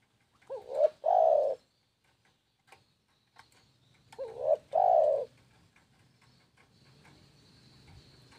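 Spotted dove giving two soft, mellow cooing phrases about four seconds apart, each a quick wavering note followed by a longer, fuller coo, over faint background hum.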